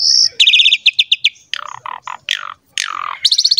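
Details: Asian pied starling in 'gacor mompa' style, used as a lure for young starlings: a steady high whistle, a fast stuttering trill of clipped notes, buzzy descending phrases and a closing high trill.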